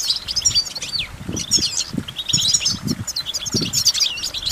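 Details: A goldfinch twitters rapidly with sharp chirps and swooping slurred whistles, accompanied by repeated low thumping sounds.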